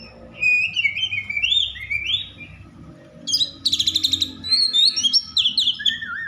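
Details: Agitated Oriental magpie-robin (kacer) song meant to stir other magpie-robins to sing: flowing rising and falling whistles, then a fast rattling burst of repeated notes and further varied whistled phrases, over a low background hum.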